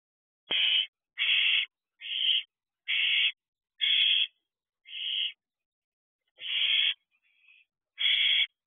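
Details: Two barn owl owlets perched at an owl box at night, June 2023, produce a steady series of eight short, harsh hissing screeches, a brief pause, then a faint thin whistle before the last hiss.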